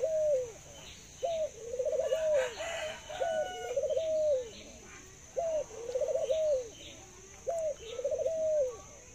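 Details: A captive Thai dove, noted for its laughing and long cooing, repeats low rolling coos about every two seconds. Each starts with a short rising hoot, then a fast, bubbling trill that slides down, with faint distant chatter behind.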